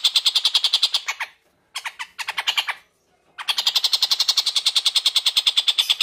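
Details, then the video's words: Tengkek buto, the long-tailed shrike, singing actively as training material for white-rumped shamas: bursts of rapid, harsh, squawking chatter broken by short silent pauses, ending in a long steady run of scratchy repeated notes. "TENGKEK BUTO Gacor"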